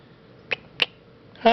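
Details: Female pet sun conure indoors: two sharp clicking kiss sounds, then the start of a louder harmonic mimicked "hi".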